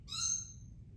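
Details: Red lory from Ambon giving one shrill call: a single harsh, high, rasping screech that tails off, over a low hum.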